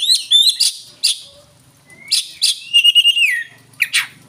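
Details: Kacer, the Oriental magpie-robin, singing loud sharp chips and bursts separated by short pauses, with a long clear whistle sliding downward near the middle.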